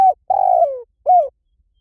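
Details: Spotted dove, a lure call meant to draw birds in quickly: the tail of one coo, then a long, slightly buzzy coo falling in pitch and a last arched coo closing the phrase. No other sounds.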